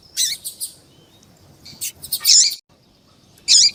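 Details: White-throated seedeater song with a female calling to stimulate a male: sharp high chips, then two loud dense twittering bursts separated by a brief silence.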